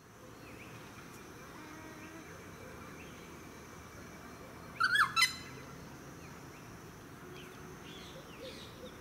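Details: Noisy friarbird in a eucalyptus tree in a suburban park on the Sunshine Coast, Queensland, July 2017: one loud, harsh, grating burst of about half a second in mid-clip, with faint background chirps and steady suburban hum.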